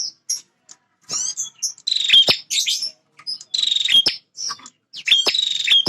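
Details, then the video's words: Male bar-winged prinia, a territorial fighter, singing: loud, high, buzzy phrases with sharp metallic notes and short chirps, delivered in bursts separated by brief pauses. "Suara Prenjak Jantan Super Gacor Pemancing Emosi Burung Bahan."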